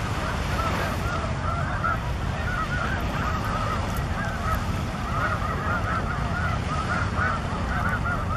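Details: A large Snow Goose flock at Broadkill Beach, Sussex County, Delaware, 13 December 2015, also holding 23 Ross's Geese and a Cackling Goose. It gives a continuous overlapping din of high nasal honks and barks over low wind rumble.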